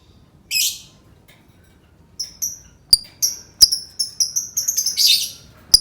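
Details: Lovebird sounds meant to set other lovebirds singing: a harsh burst, then a run of short, bright, tonal chirps and clicks, quickening into a rough chattering burst before a final sharp click.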